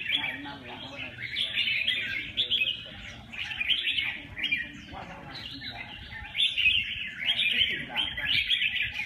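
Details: Red-whiskered bulbul delivering lively phrases of sharp, tumbling chirps and quick whistled notes in repeated bursts every second or two, separated by short gaps, with faint background chatter.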